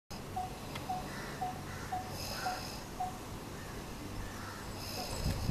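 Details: Coppersmith barbet in Kolkata in June giving six hollow, evenly spaced 'tuk' notes, about two per second, over steady low city rumble.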